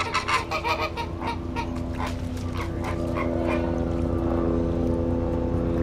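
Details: Flamingos calling after an airplane flies over: a burst of fast, goose-like honks in the opening seconds, fading under the steady low roar of the airplane.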